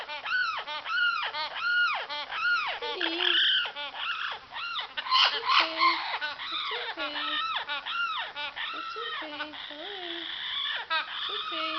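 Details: Amazon parrot hen's spring calling: repeated harsh, arching yelps that shift into a mix of grating notes, low honking sounds and overlapping squeals, loud throughout.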